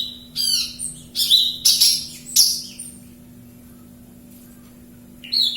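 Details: Javan bush lark singing, recorded in Kediri: a few loud bursts of harsh, rich twittering notes with sharp clicks, then about two seconds of near silence before another short phrase starts; faint hum beneath.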